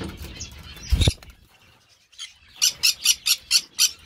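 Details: A thump or bang, a brief hush, then a Green-cheeked parakeet letting out a regular run of six rasping, high squawks, about four each second.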